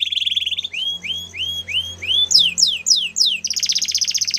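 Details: Belgian canary song opening on a low rapid trill, then a series of rising curved whistles, followed by loud steeply falling sweeps and a fast high buzzy trill to finish.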